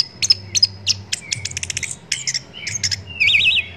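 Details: Orange-headed thrush song for songbird training: spaced sharp chirps, a quick series of clicking notes, then a loud wavering buzzy trill at the end; soft background hum.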